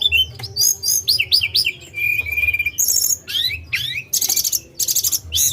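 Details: Tledekan gunung singing a lively sequence of looping whistled slurs, a sustained whistle and harsh high buzzy bursts repeated near the end.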